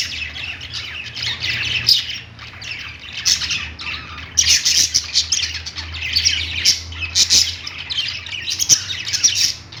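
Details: Several budgies perched in a pet store keep up a dense, continuous warbling chatter of high chirps and squeaks, swelling in louder bursts, with a faint low hum beneath.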